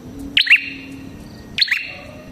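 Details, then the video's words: Red-headed prenjak, a prinia, in lively lure song: two quick bright double chirps about a second apart, each a high sharp note dropping to a buzzier one with a brief ringing trail, over low steady hum. "Suara Burung Prenjak Kepala Merah Gacor"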